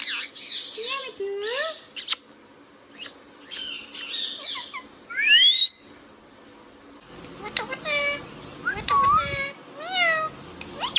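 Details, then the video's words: Indian ringneck parrot, a pet, chattering and squawking: quick high squeaks and short speech-like syllables, a loud rising whistle midway, then rapid harmonic chatter with some handling noise. "Ringneck Parrot Talking Sound video | Indian Ringneck parrot natural sound"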